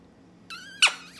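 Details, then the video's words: Pet Quaker parrot during a shower, coaxed to say the Spanish word beso; a clear harmonic tone starts midway, then a sharp squawky burst follows, in a small quiet room. "Quaker parrot showers and speaks words"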